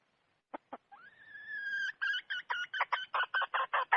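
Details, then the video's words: Red junglefowl hen from the wild giving two sharp clicks, then a long, steady, slightly rising nasal note, followed by a rapid series of loud, harsh cackling clucks, roughly four per second. "Suab poj qaib qus seev zoo heev"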